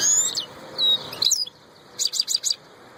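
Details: Royal goldfinch twittering, with high thin whistles and slurred notes, then a burst of four sharp tinkling chirps, against a constant faint hum.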